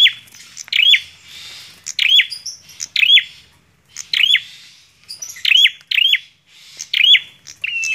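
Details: A bar-winged prinia sings vigorously to test another prinia: regular, loud buzzy chirps with steep downward sweeps, about one per second throughout.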